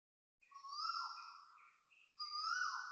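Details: Asian koels at 6.13am on 13 November 2025, Toa Payoh Lorong 8, Singapore, giving loud vibrato calls at dawn: two drawn-out wavering notes with short chipping sounds in the gap.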